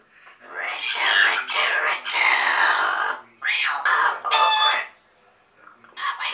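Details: Double yellow-headed amazon parrots: a long series of loud, harsh, squawking calls and chattering with broad noisy bursts, a brief pause, then more raucous calls.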